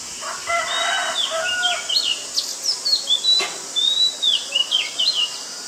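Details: Oriental magpie-robin, a very common resident, in Ubon Ratchathani, Thailand, on 19 March 2022; varied clear whistled phrases rising and falling, with short sweeping notes in rapid sequence, and a lower chattering bird in the background.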